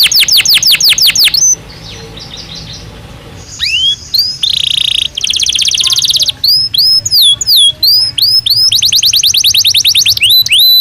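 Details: Belgian canary singing naturally, a recording meant for daily stimulation and training of canaries: rapid falling whistled sweeps, a short quiet pause, then sustained bright whistles and upward-curving slurs in quick phrases.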